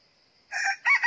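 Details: Red junglefowl decoy rooster crowing at a trap set to lure wild junglefowl outside the season. A brief, loud, harsh crow fragment in two bursts follows a steady high insect whine.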